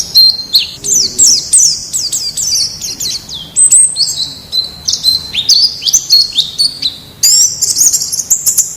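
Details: Wild white-eye singing as tutor material for caged birds: long, rich high-pitched warbling of swooping whistles and quick chips, rising and falling, almost unbroken, with a brief pause near the end.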